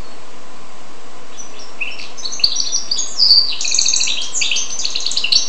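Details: Song of a goldfinch crossed with a canary: after a quiet start, a lively stream of high twitters, clipped chirps and rolling trills begins and builds into a continuous, rapid warble to the end.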